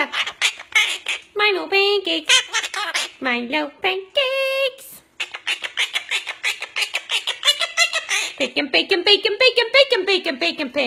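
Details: Talking parrot from a compilation of talking birds, giving a rapid string of harsh, nasal squawks and speech-like chatter. The notes repeat quickly and unevenly, with a short pause midway, then a run of rising and falling grating calls.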